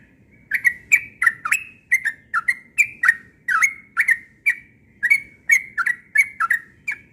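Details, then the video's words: Morning ropel song of a yellow-vented bulbul: a long, rhythmic series of chirpy, down-dipping notes, steady and persistent, with little background noise. "Burung Trucukan Ropel pagi NGOTOT"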